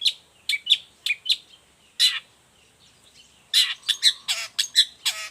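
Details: Long-tailed shrike in vigorous song, suitable as a tutor recording and a lure for other shrikes: bursts of sharp high chips, a pause, then a run of loud harsh buzzy notes with a few dropping strokes.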